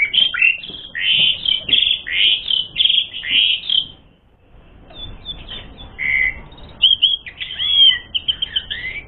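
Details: Asian pied starling in full varied song, meant as a lure to stir rival birds to fight; dense bursts of harsh chatter and whistles, a brief pause, then sharper whistled notes and squeaky phrases.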